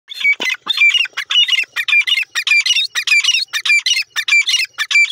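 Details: Grey francolin, locally called teetar, calling: loud, harsh, rapid squawking phrases of clustered notes, repeated about every half second in a steady run, one bird dominating throughout.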